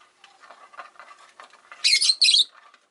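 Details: Caged Rosy-faced lovebird near a window, one of five birds, letting out two loud harsh squawks in quick succession after a stretch of soft chattering and rustling.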